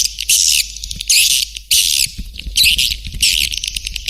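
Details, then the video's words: Swiftlet call played to draw the birds in: harsh, hissing high chirr bursts of about half a second, coming roughly every second, with soft clicks between. "Suara Panggil Burung Walet"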